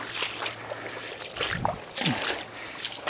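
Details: Water sloshing and splashing at a creek in December, with repeated broadband splashes and gurgling and no animal calls.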